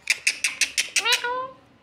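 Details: Talking galah cockatoo, a pet parrot, mimicking speech: six quick, raspy, evenly spaced syllables followed by a drawn-out tonal note that rises slightly and then fades.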